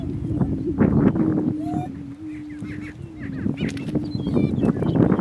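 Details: Two male Greater Prairie Chickens fight for lek dominance in northeast Kansas; a loud, steady low hooting tone dominates, with a brief rising whoop and scattered faint cackles amid heavy rumbling noise.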